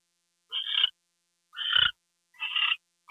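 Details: Owl heard on 2 February 2013 at 10:43 PM while a gopher is delivered. Three rasping, hissy bursts about a third of a second each are spaced roughly a second apart against a quiet background.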